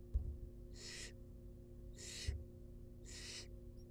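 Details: Baby barn owls, wild, in a monitored nest box at feeding: three loud breathy hisses about 1.2 seconds apart, with two sharp knocks and steady hum.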